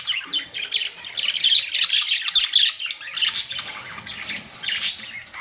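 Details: Several budgerigars, May 2, 2023, warbling and squawking in a continuous high-pitched stream of scratchy chirps, loudest in the first half, then softer bursts.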